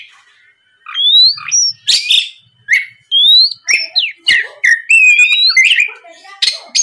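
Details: Oriental magpie-robin (kacer) singing loud, nonstop 'gacor ngeplong' lure song meant to provoke untrained birds into answering; clear rising whistles and sharp slurred notes in bursts with short pauses, some buzzy harsh elements mixed in.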